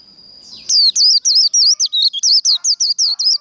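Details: Japanese white-eye giving its fighting song, a style called líu đấu, after a rising whistled lead-in: a rapid, dense run of high, twisting warbled notes in quick tight bursts, about three and a half per second, loud and continuous.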